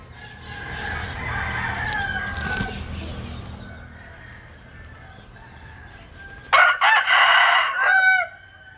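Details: After several seconds of quiet background murmur, a Linh Kê rooster known for its odd crowing lets out one loud, broken crow in three or four choppy bursts, ending in a falling tail.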